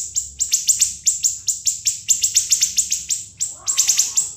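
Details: [['Long, non-stop siri-siri ngebren song for murai batu, kacer and cucak ijo to imitate: an even stream of piercing, downward-sweeping chips, roughly four to five per second, with a softer low rustle near the end.']]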